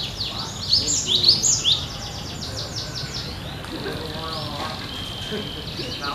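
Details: Cinereous tit singing vigorously and steadily, likened to a bird in the wild: a burst of loud, high, down-slurred whistled phrases in the first two seconds, then quieter, softer notes and low background noise.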